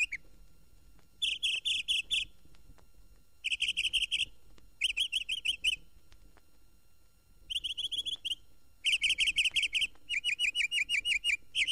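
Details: Northern Mockingbird singing in Florida, 1969 record recording; the state bird is said to sing all day and on moonlit nights. Short blocks of harsh, buzzy, rapidly repeated notes, each phrase type given several times with brief silences between.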